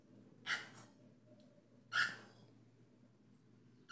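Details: Cockatiel giving two short, harsh chirping notes about one and a half seconds apart, each a brief broadband burst with bright overtones, over a faint steady low hum.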